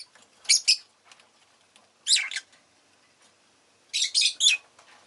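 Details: Rosy-faced lovebird kept as a pet chirping in shrill, raspy paired and tripled bursts, clusters about one and a half seconds apart, with faint ticking sounds in the gaps.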